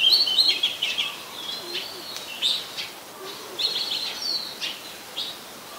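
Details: Oriental magpie-robin, a very common resident, in Ubon Ratchathani, Thailand, on 24 December 2020; varied whistled and chattering phrases around high pitch, uneven bursts with short pauses, quiet background.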